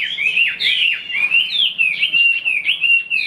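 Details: Fully tame caged Chinese hwamei offered for sale, singing freely as its cage is moved; a loud, rich run of rapid slurred whistles, rising and falling phrases tumbling together without pause.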